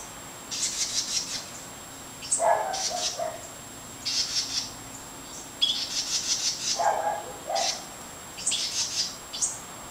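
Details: House wrens as fledglings leave the nest: short harsh, buzzy chattering bursts high in pitch, repeated every second or so across the clip, with a few lower, softer sounds in between.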